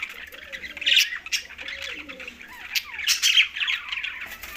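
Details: Green budgerigars chattering in rasping, warbled bursts. Two louder squawky peaks rise about two seconds apart, over faint, low, sliding whistles in the background.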